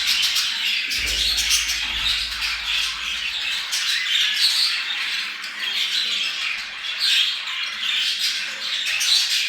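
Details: Budgerigars chattering, played to bring pet birds into breeding condition; dense, scratchy squawks and warbling chirps overlapping continuously, with a brief low hum early on.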